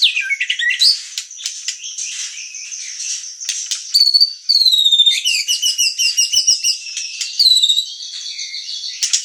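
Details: White-rumped shama song of long, varied high phrases, sharp clicks and a bright rapid trilled passage in the middle, with sustained whistles throughout.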